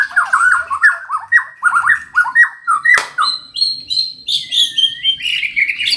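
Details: White-rumped shama from Buntok sings a fast run of chattering, scratchy notes, then shifts to clear, high whistled phrases after a sharp click.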